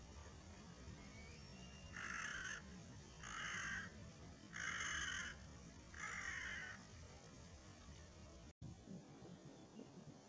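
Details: A Collared Crow (Corvus torquatus) at Long Valley, Sheung Shui, Hong Kong, dated 11 6 19, gives four harsh, hoarse caws, each about half a second long and roughly a second apart, over a low background rumble.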